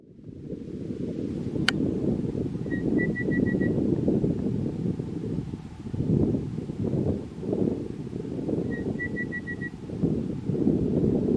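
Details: Red-browed pardalote calling in Sturt National Park in July 2021: two evenly pitched piping phrases, each a short lead note followed by four quick repeated pips, about six seconds apart, over heavy low wind or engine rumble.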